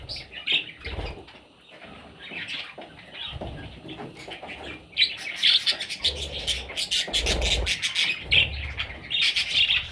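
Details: Parrot chicks, quiet at first, then a dense run of high, scratchy chirps and clicks in the second half, with soft low thuds underneath.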